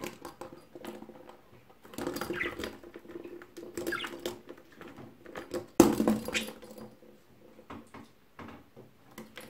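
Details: While playing with a ball, Kiki the budgerigar mimics the thud and clatter of the thrown ball mixed with Indian ringneck parakeet sounds, in scratchy, chattering bursts.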